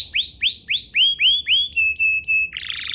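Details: Canary song used as a prompt to get other canaries singing: a row of rising upswept whistles about four per second, then flat steady whistled notes, ending in a dense buzzy trill.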